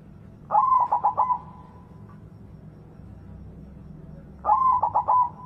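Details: Loud-voiced white zebra dove, a lure to restart singing in quiet doves: two identical phrases about four seconds apart, each a burst of four or five quick throbbing coos ending in a drawn-out note.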